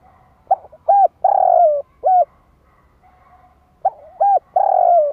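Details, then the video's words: Spotted dove calling, a recording used to provoke and lure wild doves: two phrases of low, hollow coos, each two short notes followed by a long drawn-out coo that sinks slightly at the end, with quiet pauses between. "Tiếng chim cu gáy kích bổi nhanh nổi"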